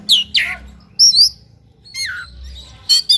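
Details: Kacer, or oriental magpie-robin, in fighting ngobra song rich with imitated phrases: loud piercing chirps, a fluttering high whistle and a falling slur, separated by short pauses, faint low hum beneath.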